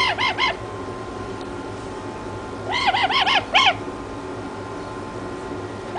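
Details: Toucan giving rapid runs of hoarse, arched croaking notes, a brief burst at the start and a longer series of four or five notes midway, with constant low hum behind.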